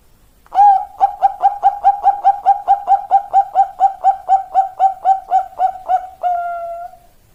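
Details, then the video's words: A zebra dove delivers its long song, a fast series of about nineteen mellow, bubbling coo pulses at a steady beat, ending in a sustained, slightly falling final note, with nothing else audible. "perkutut suara panjang"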